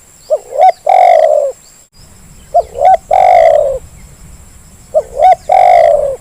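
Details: Zebra dove calling three times as a lure for birds slow to sing, each phrase two short rising coos followed by a long resonant drawn-out coo, spaced about two seconds apart, steady electronic whine throughout.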